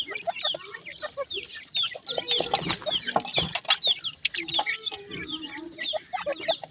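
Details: A new pair of grey francolin chicks giving high curved chirps and soft lower notes, irregular and overlapping, with wingbeat-like flutters and scuffling between calls.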